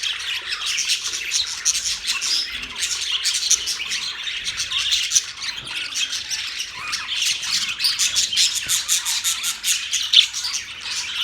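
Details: Noisy group of birds recorded October 3, 2023, chirping and squawking nonstop for over ten seconds, with rapid clicking chatter, scratchy calls and occasional pure whistled notes.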